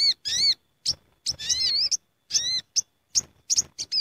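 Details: A noisy gathering flock of Sooty-headed bulbuls, used as a lure for trapping: dense overlapping bubbly, warbling notes with curving harmonics and quick sharp chirps, calls tumbling over each other with only short gaps.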